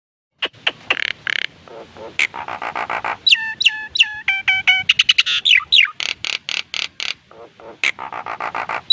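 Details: Nias hill myna, a lively singer said to imitate human speech; a varied stream of loud whistles, sharp clicks and rapid stacked harmonic notes, some phrases sounding voice-like, continuing without pause for about eight seconds.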